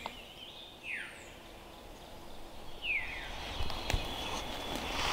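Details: Veery giving two descending, buzzy, spiraling song phrases about two seconds apart, recorded in woods around an off-grid log cabin during timber-frame building, over steady low rumbling and a few sharp knocks.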